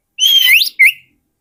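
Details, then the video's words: Oriental magpie-robin song, offered as a lure for wild birds: a long clear whistle bending upward, then a short slurred note, loud and clean with no other sounds. "SUARA PIKAT BURUNG KACER YANG SATU INI"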